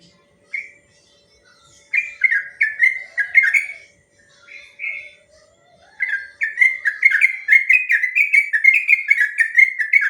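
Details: Long 'ropel' song of a yellow-vented bulbul, a lure and training track: scattered whistled notes and short bubbly phrases, then a quickening, continuous stream of liquid, chattering whistles.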